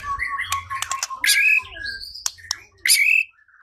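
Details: White-rumped shama song used as a lure to provoke singing and fighting: a steady whistled tone with sharp clicks, loud burry bursts, and bright whistles, over a low background hum.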